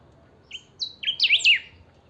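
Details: Saffron finch kept at home, a singing 'pica' chiviro. A rapid phrase of piercing high whistles opens with separate flat notes, then runs into tight looping up-and-down slurs, with nothing else heard.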